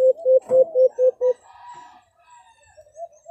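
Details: White-eared brown dove (Phapitreron leucotis) call, offered for use in hunting: a quick run of six low, hollow hoots, about four per second, then a few softer trailing notes.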